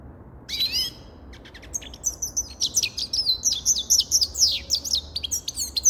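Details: Grey-crowned goldfinch singing: a brief high rising-and-falling note, then a rapid, liquid twittering run of sharp chirps and slurred whistles that continues, fairly loud, without pause to the end.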